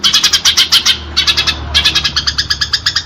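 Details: House sparrow in a fight, recorded as a training sound for pet birds: bursts of quick, loud chirps in short clusters, separated by brief pauses.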